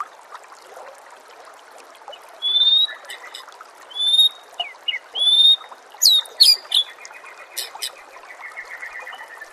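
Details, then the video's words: White-rumped shama song with nature sounds and trickling water in the background. Pure, level whistles are spaced a second or so apart, followed by sharper high notes, against a constant rushing background. "murai batu anda dengar suara MASTERAN burung seperti ini"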